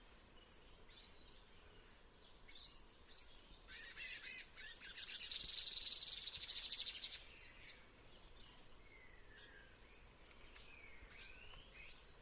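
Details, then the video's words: Tanager singing high, quick chirps and thin notes with a denser twittering burst in the middle, softer calls from other birds and faint outdoor hiss. "tanager bird"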